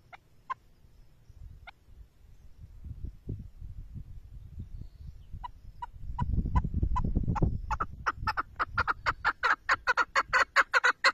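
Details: Chukar partridge call starting with a few isolated soft clucks over rumbling noise, then building into an accelerating, increasingly loud series of chattering notes.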